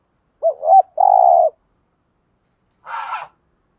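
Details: Spotted dove 'thúc gù' cooing used to trigger wild doves to sing: a wavering opening note and a sustained buzzy coo, then, after a second's silence, a brief harsh broadband noise.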